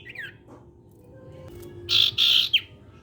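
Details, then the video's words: Sirtu, or common iora, singing to set other sirtu birds off: a soft slurred note, then two loud harsh buzzy bursts ending in a sharp whistle, with a low background hum. "SIRTU CIPOW GACOR BIKIN SIRTU BAHAN IKUT BUNYI"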